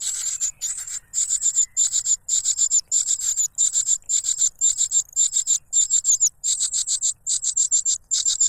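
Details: Noisy cuckoo chick begging its foster father for food, which stuffs its mouth with a butterfly; sharp, very high chirps pour out in quick clustered bursts, nearly continuous.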